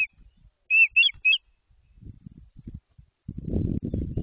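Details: White-tailed eagle at the start of nest building in Jedwabno, Poland, marking the beginning of the breeding season; three sharp, high yelping notes in quick succession, followed by low rustling and knocking at the nest.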